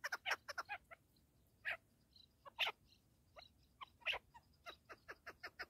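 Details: Partridge making scattered harsh notes: a quick opening cluster, several loud isolated calls with pauses between them, then a closing run of lighter, evenly spaced chucks.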